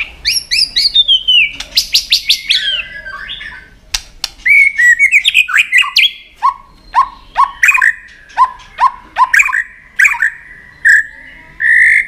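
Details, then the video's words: White-rumped shama in fighting song with tail-flick clicks: high fluty notes and rapid buzzy bursts open the phrase, followed by a steady series of loud short whistled notes repeated about once a second. "chòe Lửa đập đuôi tạch kích căng, kích Chòe Lửa hót đấu căng lửa.chòe Lửa hót giọng dài"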